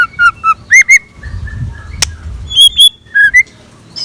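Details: Scarlet minivet morning song used as a decoy: loud clear whistled notes, short slurred phrases repeated in quick bursts, some rising, with a low rumbling background between phrases.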